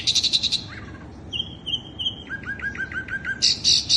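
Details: Sikatan londo flycatcher song used as a lure to attract birds: a fast buzzy trill of rapid high notes, then a long thin whistle, a run of quick repeated dropping notes, and another loud high trill.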